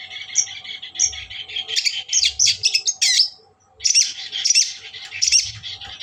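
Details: Long-tailed shrike song used to provoke a rival: a fast jumbled warble of squeaky, harsh and whistled notes with clear high chips, one short pause midway, and a low background hum.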